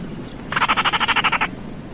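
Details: A single Baillon's crake call: one dry rattling burst of about a dozen quick, evenly spaced clicks lasting roughly a second, against faint steady background noise.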